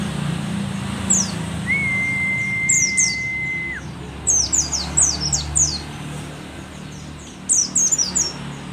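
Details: Old mountain white-eye of the pleci dakun type from Merapi singing busily: rapid clusters of very high, thin, falling chirps, with one long level mid-pitched whistle early on and a low background rumble.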